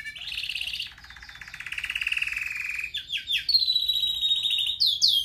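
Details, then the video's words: Red factor canary, a pet bird, singing a powerful training song: buzzy trilled rolls, long steady whistled notes and rapid repeated swooping syllables, high-pitched throughout, in quiet surroundings. "Canary most powerful song for training | Red Factor singing"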